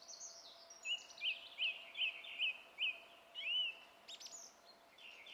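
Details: Song thrush singing, 27 April 2016: a thin high phrase, then a crisp upslurred note repeated six times evenly, followed by a longer arched whistle and scratchy, buzzy fragments.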